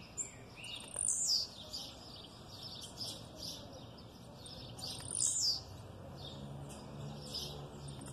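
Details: Blue-black grassquit singing aggressively while female calls sound in the background; two high, rasping, downward-sliding bursts about four seconds apart, with softer scattered chirps and a low hum.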